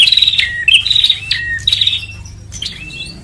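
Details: Bar-winged prinia lure sound meant to gather birds: short high buzzy phrases that drop into lower whistles, repeated several times, growing quieter toward the end.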